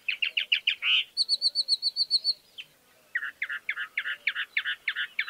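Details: Chalk-browed mockingbird singing rapid, repeated chattering notes, then a quick run of high piping whistles, a short pause, and a longer string of harsh, scratchy chirps repeated several times per second.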